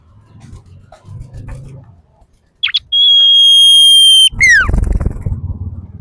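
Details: Female common iora song used as a lure to prompt birds to sing: a long, steady, pure high whistle held for over a second, then a short whistle sliding downward, with faint low rumbling before and a noisy burst after.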